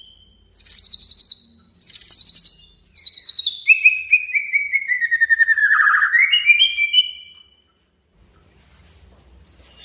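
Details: Male white-rumped shama singing to provoke a rival into a fighting mood: rapid trilled phrases high up, then a long series of buzzy notes sliding steadily downward and rising again, followed by short whistled notes.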